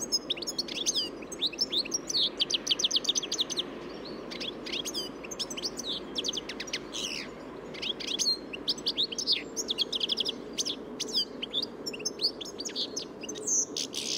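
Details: European Goldfinch singing: a rapid, tinkling stream of high twittering notes and buzzy chirps in dense bursts with short gaps, over a faint low background hum.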